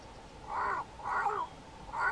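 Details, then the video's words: Cape crow calling from the top of a tree, bowing and puffing up its throat with each call; three hoarse, nasal, drawn-out croaks about half a second apart, each slightly downslurred, in a quiet setting. "Cape Crow calling"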